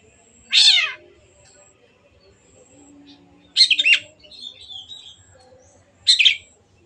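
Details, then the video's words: Long-tailed shrike singing vigorously, a lure to make birds sing: three separate rasping notes a few seconds apart, the later ones choppy and stuttered, with faint thin whistles in between. "CENDET GACOR PANCINGAN MENGATASI BURUNG MACET ATAU BAHAN AGAR RAJIN BUNYI"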